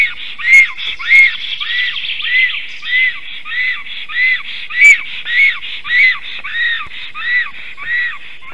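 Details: Female black stork singing at the nest area while the male looks on, late morning in May 2023; a loud series of arched whistled notes repeated roughly twice each second, with a few sharp clicks.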